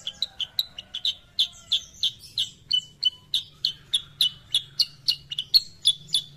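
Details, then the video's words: A sooty-headed bulbul sings bright, clear chirping notes about three per second, a steady run of short, sweet phrases with a faint low hum beneath. "KICAUAN BURUNG KUTILANG SUTRA"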